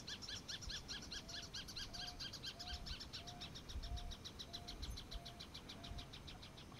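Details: Crested caracara in an open field at dawn giving a rapid, harsh, rattling series of grating notes, with a soft low whistle repeating about twice a second and a steady background rumble.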